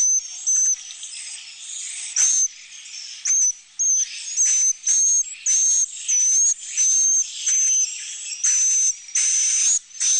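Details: Swiftlet roosting sound played in nesting rooms so birds feel calm and secure among a flock of young and adults; loud high buzzy bursts about once a second, each with a thin whistled tone, over softer chattering.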